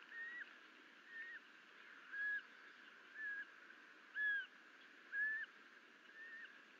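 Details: Osprey at the nest on a June 2022 morning, with a young bird and a live duck brought in as prey by the male: clear, short whistled cheeps repeated roughly every second, some rising and some falling, against a faint hissing background.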